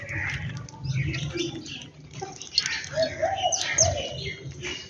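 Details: Morning birdsong around a home: scattered high chirps and short twitters, then a brief run of soft, low cooing notes, with murmured human voices in the background.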